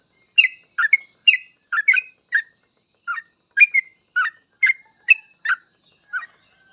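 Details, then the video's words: Sooty-headed bulbul, locally called trucukan, singing lively bubbly whistled phrases of short warbled notes with sliding pitch, about two notes per second, in a clean recording without other sounds. "Suara trucukan gacor full ropel"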